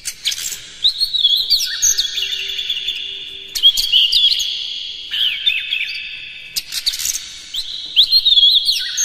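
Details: Oriental magpie-robin morning song, a lure to stimulate captive birds to sing and open the tail. Loud, varied high whistles with sharp slurred notes, sustained echoing tones and bursts of rapid chirps, about three phrases over nine seconds.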